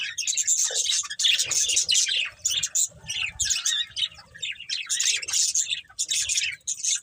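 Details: Budgerigar breeding pair and family, colourful birds, giving busy chirping chatter, rapid twittering phrases broken by brief gaps, with a few harsher squawky notes mixed in.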